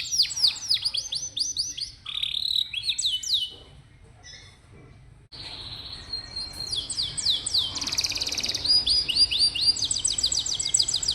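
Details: Canary singing, played to provoke young, lazy canaries into song and to train other birds: rapid high descending trills, then nearly two seconds of near silence before bright rolling phrases resume and carry on to the end.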